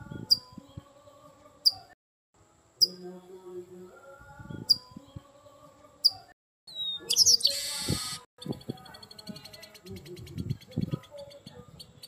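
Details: Red-cowled cardinal, the garibaldi or papa-arroz, in fiery ringing form: crisp high downslurred chirps repeated roughly every second, a short pause, then a blazing ringing burst and a fast run of rapid ticking notes, with low background murmurs.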